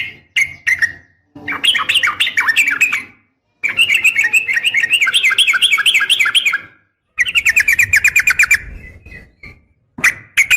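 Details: Female yellow-vented bulbul calling to a male: bursts of rapid bubbly chattering notes, rising and falling, in runs of about two to three seconds separated by short silences.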